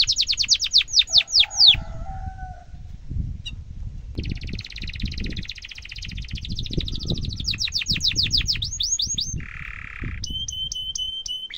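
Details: Canary song used as a tutor for young canaries, with fast repeated descending sweeps, a buzzy rolling trill, a short low buzzy phrase, then quick high chips, over steady low rumbling background noise.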